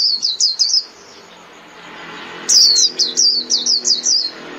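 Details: A white-eye calling the flock: a short run of high tinkling notes, a quiet gap of over a second, then a longer, louder chain of quick, sharply falling chirps.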